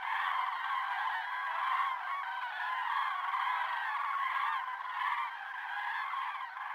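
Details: Common cranes at the Embalse de la Sotonera reservoir on 5 February 2023, recorded with an OM System OM-1 camera: a dense, continuous chorus of many overlapping loud trumpeting, bugling calls with rich harmonics, steady throughout.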